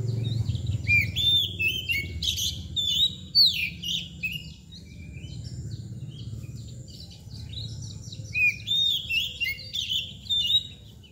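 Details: Oriental magpie-robin (kacer) in mbagong display delivers a long varied song of rapid chirps, slurred whistles and scratchy notes in bursts with short pauses, a faint low rumble beneath.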